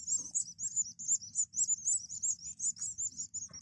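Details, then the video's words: Young European goldfinches, a whole group of chicks kept by a breeder, chirping together in rapid, high-pitched, overlapping tweets that run continuously, with a faint low hum underneath. "فراخ الحسون"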